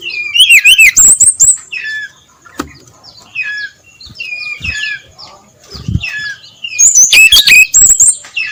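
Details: Brown-chested jungle flycatcher in full 'ngeplong' song before dawn. Loud high trills and twisting whistles open and close the clip, with quieter warbled phrases between them and a few soft thuds.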